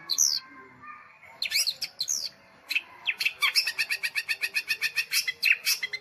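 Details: Nitik-style song of a long-tailed shrike: a few sweeping, whistled slurs, then a fast, even series of sharp ticking notes repeated about four times per second, mixed with brief chirps.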